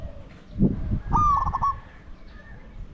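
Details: Spotted dove used as a decoy to lure wild doves: a single bright, rolling coo with quick stuttering pulses lasting about half a second. Low rumbling noise and soft thumps sit underneath.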